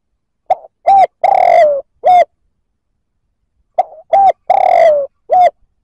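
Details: Spotted dove giving its provoking coo to stir other males: two identical phrases about three seconds apart, each a soft note, a short coo, a long descending coo and a closing short coo.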